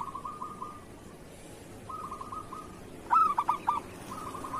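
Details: Zebra dove (local type, kerot style) singing as a training master for other doves: low rippling trilled coos, then a burst of three loud, sharp accented notes, with the next soft trill starting right after.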